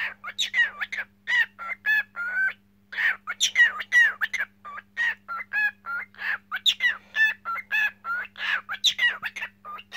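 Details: Cockatiel singing in rapid, continuous bursts of bright whistled chirps and slurred notes, some rising and some falling, packed closely together over a constant low background hum.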